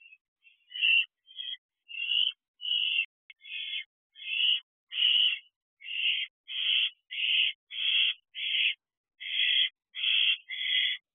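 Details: Owlet in a nest box at night, 12:32 am on 30 June 2023, able to fly but still spending time in the box, receiving a food delivery: a steady run of about sixteen harsh, hissing screeches, one every half second or so.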